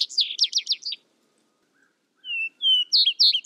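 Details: Vesper sparrow song: the tail of one phrase, a fast run of slurred downward notes, then a pause. A new song follows with two steady whistled notes before rapid chirping trills begin. No other sounds.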